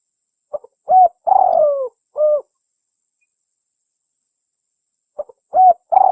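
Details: Spotted dove calling to lure and provoke a rival, which is said to answer within seconds: short soft notes, then two longer mellow coos, one sliding downward, a pause of nearly three seconds, then the phrase starting again.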